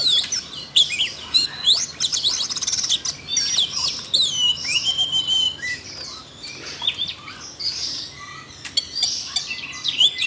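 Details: Siberian rubythroat singing after being stimulated by training audio for a young bird; varied high warbles, thin whistles and chips run in loose bursts, with a quieter stretch near the middle.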